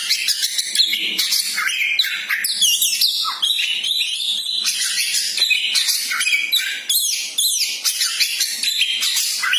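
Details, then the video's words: Magpie-robin, known locally as koci, sung with a champion's temperament to stir a kept bird's fighting spirit. Continuous rapid jumble of bright whistles, trills and scratchy notes, loud and unbroken, phrases tumbling over each other. "Burung Koci mental jawara sangat cocok untuk dongkrak emosi burung koci anda"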